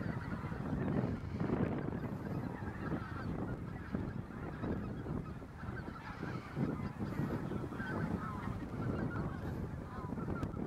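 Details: Many geese on the Bislicher Insel on 7 January 2014 keep up a dense, overlapping chorus of honking calls, loud and continuous throughout.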